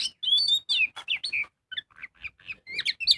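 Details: Magpie-robin singing as a lure to prompt other birds: a loud whistled opening with overlapping notes, then a string of shorter, softer chirps spaced by small gaps, rising again to a bright closing flourish.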